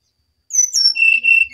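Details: Brown-chested jungle flycatcher singing eagerly: after a short silence, two high thin whistled notes slide down, followed by two steady, lower, sweet whistles.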